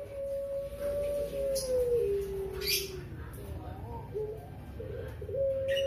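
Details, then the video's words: A Barbary dove gives a long, melodious, drawn-out, fairly high coo that slides slowly downward, then breaks into short wavering notes before rising again, with faint clicks and background noise. "Puter Pelung Ngelik Panjang"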